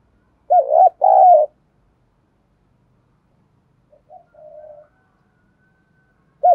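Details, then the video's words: Spotted dove serving as a lure for training fighting doves: a strong two-note wavering coo, a long pause, then a quieter drawn-out coo, and the start of another phrase at the end. "Thúc & gáy gọi/ tiếng Cu gáy mồi giọng đồng thổ hạp bổi kích mồi luyện bổi hiệu quả"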